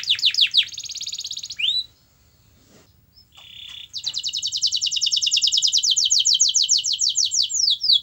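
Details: Canary song used to prompt a silent canary to sing: a quick high trill and sweeping whistle, a brief pause with one short buzzy note, then a long, even, rapid trill repeated about three times a second.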